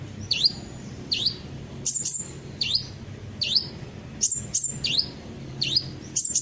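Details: Kolibri ninja sunbird lure song meant to provoke birds into singing: crisp, high swooping whistles, each falling and rising, given in a steady series roughly every second, sometimes doubled with sharp chirps.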